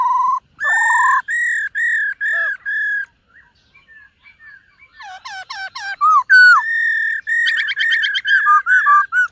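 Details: White-cheeked laughingthrush singing in the morning as voice practice: loud clear whistled phrases, some sliding and rising, broken by a quiet pause, then rapid varied notes and bright trills.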